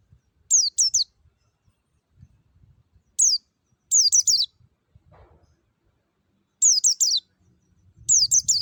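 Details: Forest white-eye lure with a clear voice, meant to prompt captive white-eyes to sing. High, thin notes slide downward in quick clusters of two or three and return every few seconds, with faint low rumbling between them.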